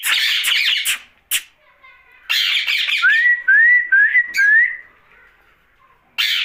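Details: Night-time pet rose-ringed parakeet: harsh chattering squawks, a pause, then a string of four clean upward-sliding whistles mixed with rasping notes, ending with another squawk burst.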